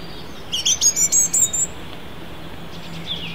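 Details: A European robin at Holywell Dene sings a quick, high, tinkling phrase of thin whistles and trills, lasting about a second, then a faint fragment follows over a steady low hum.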